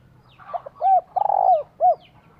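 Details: Female spotted dove calling to stimulate a male: a soft low rolling coo followed by two clear downslurred hoots and a longer purring coo, with quiet background hum.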